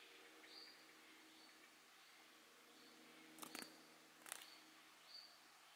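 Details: A common kingfisher at ponds in the Drava valley on 1 October 2023 gives faint, thin, high whistles, a few short notes spread over several seconds, with a low hum and a couple of sharp clicks.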